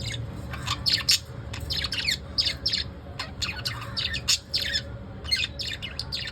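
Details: Evening chatter from pet lovebirds: dense runs of high, piercing chirps repeated almost without pause, with a faint low background hum.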